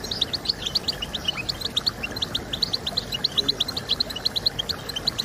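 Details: Twittering European goldfinch song for motivating goldfinches to sing: evenly paced, bright, high chips repeated several times a second, with a soft hiss behind them.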